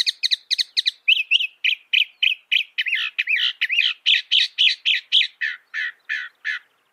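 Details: Northern mockingbird able to reproduce 200 sounds, mimicking other birds. Rapid high chirps repeated in short bursts, then a long run of separate bright notes at about four per second, each note type repeated several times before changing.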